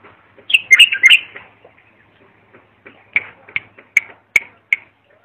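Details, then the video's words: Bulbul song for training young bulbuls: a quick warbled phrase, then a series of single sharp chirps spaced roughly every half second. "تغريد صافي يفيد اذا عندك بلابل صغار او بلبل ميغرد"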